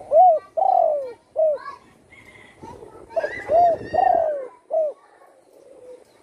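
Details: Spotted dove with a wing once broken by a shot, now singing eagerly at home. Two back-to-back coo phrases each run rounded note, long falling coo and short coo, with softer background sounds between them.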